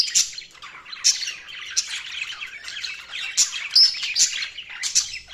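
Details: Budgerigar chirping: rapid twittering chatter with sharp, bright chirps popping out roughly every second over a steady warbling background.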